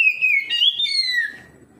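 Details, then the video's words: Oriental magpie-robin answering another magpie-robin with a single loud, pure whistled phrase that rises slightly, then glides downward and fades out. "KACER NGEPLONG KACER LAIN LANGSUNG RESPON NGEPLONG BONGKAR ISIAN"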